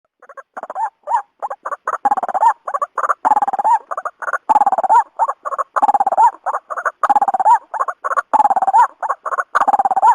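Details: White-breasted waterhen, recorded for bird hunters to lure birds: dense, irregular bursts of harsh, croaking notes in quick runs, some with a short rising inflection, broken by brief pauses.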